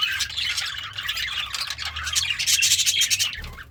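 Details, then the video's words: Contented pet budgerigar, eating greens, chatters busily: quick buzzy chirps and squeaky warbled notes tumble together, growing louder and denser toward the end before a brief drop. "The Sounds of a Happy Budgie - Chirping, Singing, and Eating Greens"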